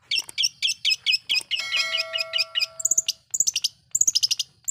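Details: Long-tailed shrike lure song used to provoke other shrikes: fast harsh chattering notes, then a sustained pure whistle, followed by rapid high trilled bursts.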